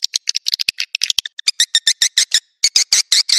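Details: Naga Merah swiftlet call, used to attract swiftlets to nests: a quick series of separate high chirps and clicks, each short and sharp, spaced in a steady ticking rhythm.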